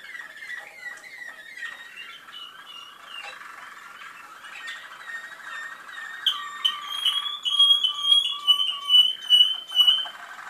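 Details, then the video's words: Malinois canary in Skopje: a sequence of slurred, rising whistled notes gives way to a fast rolling trill, then loud bell-like notes pulsing rapidly over a low sustained tone. "malino kanarinci"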